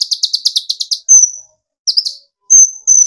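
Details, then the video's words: A kolibri ninja, the olive-backed sunbird, sings provocation song to excite other birds: an opening rapid series of high chips, then shrill whistled notes and a brief chirp pair. "burung konin gacor pancing tembakan konin dari yang trotol sampai full metalik nembak emosi"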